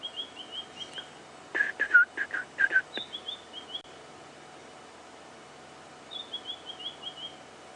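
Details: A White-browed Scrub Robin calls on an afternoon-to-sunset safari drive on 30 March 2016 as cold weather approaches: quick runs of thin, high whistled notes, about five a second, in the background, with a louder burst of lower chattering notes.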